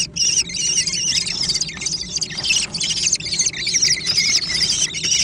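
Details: A noisy scramble for food among young American kestrels: overlapping shrill, wavering cries pile on top of each other almost without a break, making a continuous chorus of screeching.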